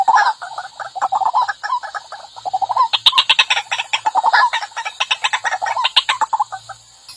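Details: White-breasted waterhen lure call, described as fierce: dense, rapid chattering of throaty notes, growing louder and busier midway, with several overlapping calls.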